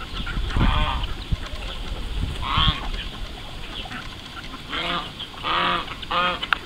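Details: Domestic call ducks on their morning swim: scattered loud, nasal, harmonic-rich quacks, one near the start, one midway, then a quick cluster of three toward the end, over low rumbling background noise.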